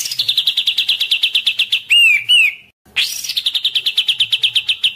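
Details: Agitated white-rumped shama in full song: a long run of rapid repeated high chirps, a brief pause broken by looping whistled slurs, then the fast chirping trill resumes.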